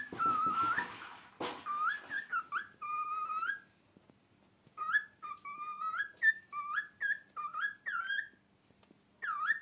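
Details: A pet cockatiel perched on a cover whistles a song of short, clear, rising and falling notes with brief pauses between phrases.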